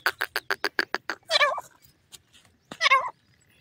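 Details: Grey francolin, a Sindhi teetar, feeding: seven quick sharp clicking notes followed by two loud harsh squawking calls with a pause between them.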